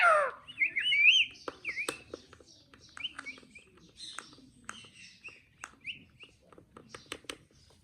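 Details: Pet parrot giving a loud wavering whistle at the start, then a string of short chirps and clicks, about one a second, fading quieter toward the end.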